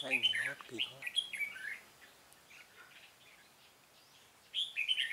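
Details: Red-whiskered bulbul singing during a bird-trapping session on 13 March 2017: quick chattering warbled phrases, a pause, then another burst, with a person's voice briefly heard at the start.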